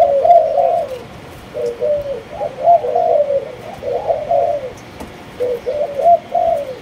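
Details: Spotted dove of Malaysian lineage, a kept cage bird, cooing in low hollow phrases of several rolling notes, with short pauses between bursts and faint background hiss.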